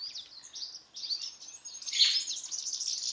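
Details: A captive pair of white-browed woodswallows in a large open flighted aviary, feeding on mealworms; dense high chirps and scratchy twittering run almost without pause, louder harsh burst near the middle.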